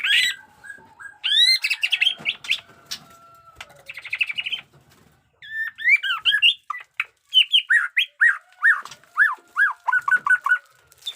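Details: Caged white-rumped shama of the 'jenggot dewa' type, new feathers, singing an aggressive song with 'batuk koral' and 'muntah beling' styles: loud upswept whistles, rattles, then a quick series of clear repeated notes.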